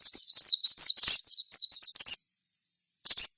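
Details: Sogon singing in full gacor style, used as a lure to make other sogon sing: rapid, high, thin twittering with quick rising and falling notes for two seconds, a short pause, then another brief high burst.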